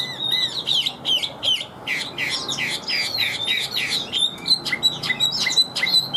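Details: Caged Chinese hwamei in full, machine-like song, voice strong and steady, wings flicking; loud harsh chattering bursts mixed with quick whistled sweeps, repeated almost three times per second.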